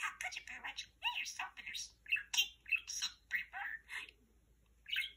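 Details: Male talking parakeet chattering his favourite phrases: rapid, high-pitched, speech-like syllables with squawky, chirpy inflections, delivered in quick irregular bursts, then a short pause and one final squeaky phrase.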